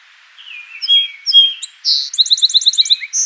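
Song sparrow: a few clear, slurred introductory notes, a buzzy burst, then a quick trill of about eight sharp doubled notes ending in a buzz.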